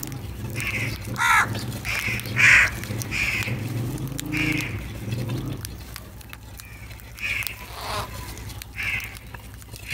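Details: Crows called in the morning while drawn to food, giving a string of harsh, hoarse caws, some doubled, spaced unevenly about once a second, with low background rumble throughout.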